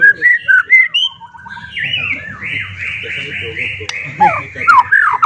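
A white-rumped shama sings rich, varied whistles, rising and falling phrases that run into a long sustained warbling passage, with some background noise.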